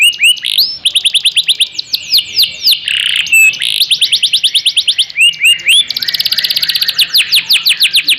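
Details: Canary in long, continuous singing meant as a model for training other birds. Fast trills of high repeated notes shift into rolling phrases, with a brief buzzy section and dense rapid tours, and no other sound.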